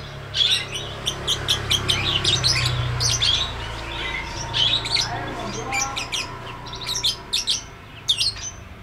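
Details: A lovebird gives a dense run of quick, clicking, scratchy high chirps in the long ngetik ngekek style, broken by short pauses, with a low hum in the background.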